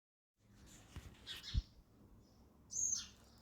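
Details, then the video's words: Sparrow at a feeder giving a few scattered, high, thin chirps, one clear sharp chirp near the end, with quiet rustling between calls. "sparrow sound effect | ચકલી ઘર | chaklino avaj"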